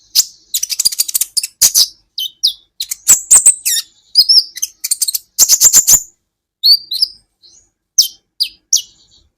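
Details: Training recording for songbirds of an olive-backed sunbird singing a lively, varied string of sharp high chips, rapid stuttering bursts and short downslurred whistles, delivered almost continuously with brief pauses. No other sounds are heard.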